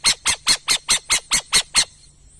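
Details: Burrowing owl giving nine harsh, raspy, broadband squawks in quick even succession, about four to five per second, then falling silent; quiet background.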